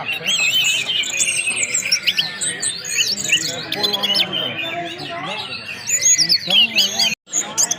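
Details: Anis merah, the orange-headed thrush, delivering whistling ngeplong-style song: fast, busy phrases of high twisting whistles and chirps, roughly four notes a second, with a short drop-out near the end.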